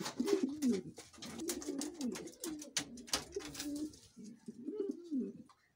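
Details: King pigeon cooing indoors: low, throaty warbled coos rolling up and down, several phrases over a few seconds, with sharp clicks and scratching of feet or wings on a hard floor throughout.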